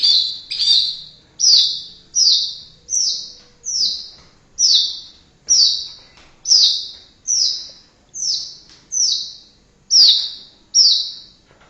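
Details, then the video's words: Indonesian white-rumped shama repeating a single high, falling whistled note roughly every 0.8 seconds, fourteen in a steady series. "MURAI BATU INDONESIA Burung predator cerdas bersuara emas"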